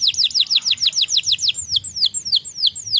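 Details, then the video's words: A white canary, described as making other canaries agitated, sings a rapid rolling series of downward-sliding whistles, fast and tightly packed at first, then spaced out more slowly in clear falling notes. "KENARI PUTIH BIKIN KENARI LAIN EMOSI dan bunyi"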